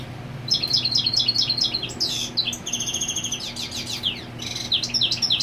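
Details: European goldfinch male marking territory while the female sits on the nest; bright twittering song of rapid repeated chirps and liquid trills high in pitch, with buzzy notes mid-phrase, over a low steady hum.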